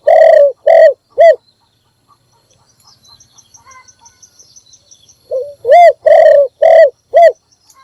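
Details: Morning lure call of a spotted dove kept to draw in other birds: three closing coos, a quiet gap with a faint thin high whistle in the background, then another phrase of a short lead note and four booming coos.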